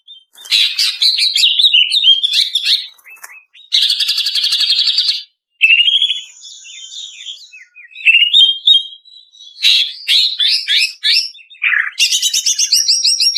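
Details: Female greater green leafbird lure audio for training caged birds to sing: a varied, busy run of rapid chattering trills, buzzy bursts and slurred whistles in separate phrases, with one steady high whistled tone midway, on a clean background.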